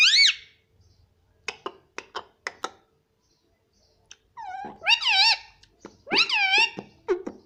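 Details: Pet Indian ringneck parrot talking indoors: a sharp opening note, a series of dry clicks, then two bursts of quick wavy harmonic syllables resembling "mummy".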